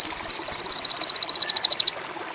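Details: Sogon indigo, a bird in high mating condition, giving a fast, very high, buzzy pulsed trill of roughly twenty-seven notes that eases slightly before stopping, followed by quiet.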